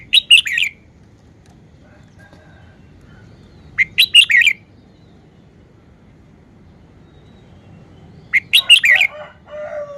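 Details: Caged red-whiskered bulbul showing off its song style: short bright phrases of four or five quick whistled, warbling notes, repeated roughly every four seconds over a faint low hum.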